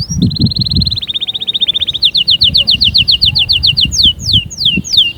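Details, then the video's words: Canary singing a long rapid trill of short repeated notes, then a quicker series of downswept chirps and slower falling slurs, sharp and high, with faint low knocking at the start. "أقوى💪 تحفيز لطيور الكناري📣 أأأستحالة يصمت معها نار نار👉cinary_singing2020"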